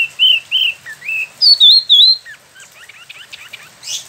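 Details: Loud ngeroll song of a caged spot-throated babbler, locally called wambi mini, kept a year in Bandung, Indonesia after import from China and Vietnam. Clear wavering whistles rise and fall, then give way to a quick scatter of sharp ticking notes.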